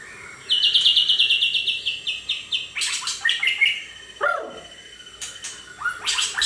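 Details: Captive 32 cm white-rumped shama (pastol) kept in a storehouse: a fast, even series of high chipping notes, then varied slurred phrases including a falling note, over a steady background hiss and some clicks.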